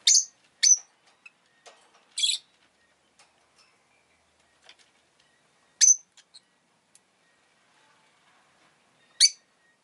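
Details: Captive rosy-faced lovebird repeating short, shrill, rasping chirps at irregular intervals, a quick pair at the start and single calls later, with soft clicks between.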